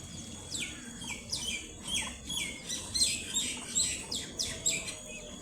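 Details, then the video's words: Tiny chirping peeps from a brood of baby ducklings at play: loud, high notes that slide steeply downward, repeated about twice a second in a steady, insistent series. "ADORABLE Baby Ducklings Make The Funniest Sounds!I ugly duckling l duckling sounds l baby duck"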